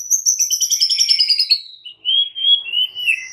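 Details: White-rumped shama song in the morning, a bird learning to fight: a fast high trill descending gradually for over a second, then clear sliding whistled notes.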